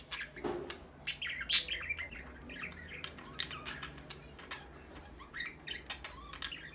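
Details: Pet budgerigars, Australian parrots said to be ready for breeding, give quick bright chirps and short warbled notes with irregular gaps, some overlapping, with soft wing flutters and a low background hum.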